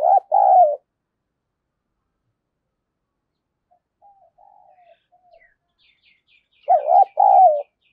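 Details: Spotted dove used as a lure to provoke fights, 'đồng pha' voice: two loud low coo phrases bracket soft murmuring, while faint high chirps of another bird sound in between.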